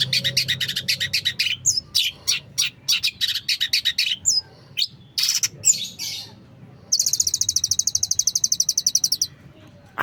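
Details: Long-tailed shrike in rich, varied song: rapid high buzzy trills, then a series of sharp separate notes, ending in a long fast rattling trill of even repeated pulses.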